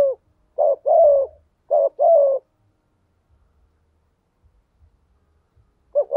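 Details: A spotted dove decoy calling in thúc gù style to draw out rivals: two groups of low hollow coos, each a short note followed by a longer one, separated by silence, with another call starting at the end.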